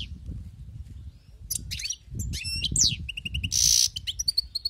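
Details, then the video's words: European goldfinch taken from the wild, singing a varied phrase of high slurred whistles, a buzzy rasp and clipped repeated tinkling notes over steady low background noise. "أسمع وركز على المقنين الخلوي كيف يغرد"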